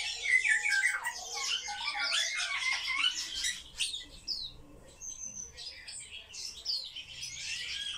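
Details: Kept sparrows chirp and squawk densely for a few seconds indoors, then the chatter thins to scattered high notes and quieter background calls.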